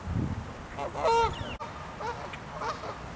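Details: Angry Canada geese fighting within their flock, with one loud, harsh honk in the middle followed by a rapid series of quieter, shorter honks from others, with a low rumble underneath.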